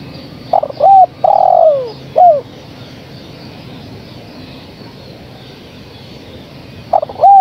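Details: Cooing of a female spotted dove calling the male: a full phrase of short clipped coos, a drawn-out downward-sliding coo and a brief falling note, then after a pause another phrase starts; faint background hum.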